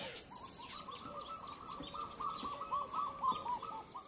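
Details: Western red-billed hornbill in The Gambia, November 2018: a quick series of hollow, clucking notes, several each second, over high chirps from other birds.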